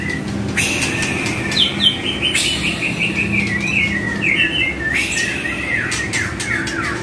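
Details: White-rumped shama (murai batu) song in a training track for kept songbirds: varied whistled phrases with sliding notes, brief rattling bursts and sharp clicks, over a steady low hum.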